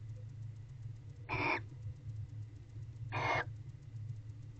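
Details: Barn owl heard inside a nest box around 6 pm on 22 November 2023. Two rasping, breathy screeches sound about two seconds apart, each short and noisy, against a constant low electrical hum.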